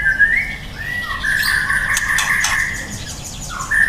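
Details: Young white-rumped shama delivering a long, mostly level whistled phrase with slight wavering and brief breaks, ending in a short higher note; scratchy clicking sounds overlap the middle.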